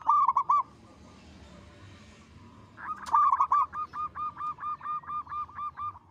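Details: Zebra dove of a local type, singing keenly with a big, long, melodious voice: a short burst of coos, a quiet gap, then about a dozen evenly spaced rounded cooing notes repeated quickly in a steady rhythm.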